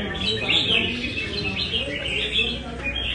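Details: Red-whiskered bulbul of Nam Đông stock, kept caged, trained at a Đà Nẵng café: short clear whistled phrases with upward slurs, sung continuously against a hum of voices and traffic-like rumble.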